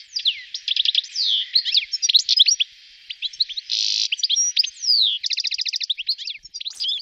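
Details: Goldfinch singing in Wittlich during 2018, a continuous high tinkling jumble of chirps, downslurred whistles and quick trills, with a harsh buzzy note in the middle and a rapid trill near the end.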